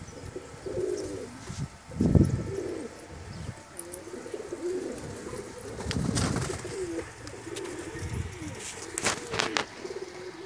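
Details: Domestic pigeons raised at home for hobby and income: continuous overlapping low, rolling, wavering coos from several birds, with a louder throaty burst near the start and scattered clicks and rustles around the loft.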